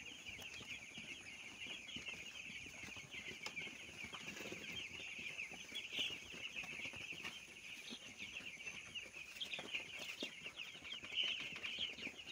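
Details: Many young broiler chicks kept for rearing, peeping together in a dense, continuous chorus of shrill high cheeps that overlap without pause, with light rustling and scratching below.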